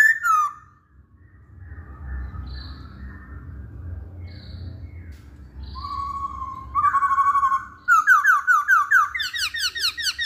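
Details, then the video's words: Masked laughingthrush lure for birds that seldom sing. A long near-silent stretch gives way to a rising whistle, then a fast train of sharp, upslurred whistled notes repeated several times a second. "Poksay Hongkong Jantan Manapun Pasti Nyaut Saat Dengar Pancingan ini"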